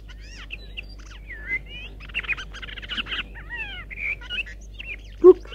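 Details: Icterine warbler, a mimic, in fast, varied song weaving in imitations of chaffinch, crow, blackbird and great spotted woodpecker: rising whistles, harsh chattering bursts and squeaky notes in quick succession.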